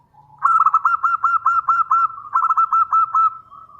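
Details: Zebra dove of local stock, a strong, big-voiced singer used as a lure for answering birds, giving a rolling series of quick pulsed coos in two runs with a faint low hum beneath.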